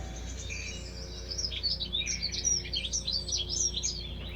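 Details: Dunnock song in a British garden: a fast, constant, high warble of thin squeaky notes tumbling without pause, over a low steady hum.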